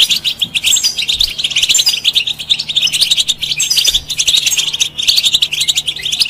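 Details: European goldfinch song played to stimulate other birds to sing; a dense, continuous run of fast twittering, tinkling notes and short buzzy trills, high-pitched and unbroken for the whole stretch, with a faint low hum underneath.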